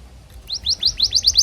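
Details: Excited canary chirping, part of a tutor recording to teach young canaries to sing: a quick run of about seven sharp, high, downslurred chirps at even spacing after a short quiet start.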